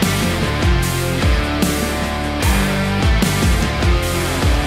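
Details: Loud rock music with distorted guitar and heavy drums fills the recording; no animal sound is heard.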